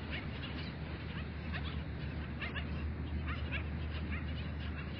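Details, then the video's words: Skimmers calling at dawn in a beach bird sanctuary: many short, yapping, bark-like notes from several birds overlap rapidly over a steady low roar of surf and wind. "Rayadores cantando al amanecer"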